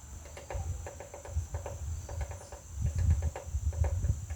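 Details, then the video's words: Woodpecker pecking at a butterfly house: hollow wooden taps in irregular bursts, several per second, over a low rumble and a steady high-pitched whine. "Woodpecker pecking butterflies house"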